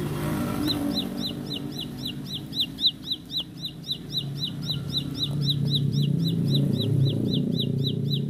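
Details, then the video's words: Ciblek pari, the bar-winged prinia, in a fast roll song of sharp, high, down-slurred notes repeated about four times a second, over a loud, steady, low hum. "Tembakan Roll Spead Ciblek Lagu Full Kolibri // Ciblek Sawah/Ciblek Pari"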